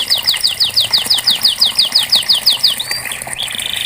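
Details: Canary song used as therapy to prompt a reluctant bird to sing: a fast run of about fifteen repeated descending whistled notes near the high register, then a short level whistle and a buzzy trill, with a faint low hum behind.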